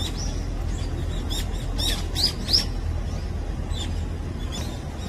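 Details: Brown-eared bulbul at its morning meal gives short, sharp, high chirps in a loose cluster near the middle, over a steady low rumble of background noise.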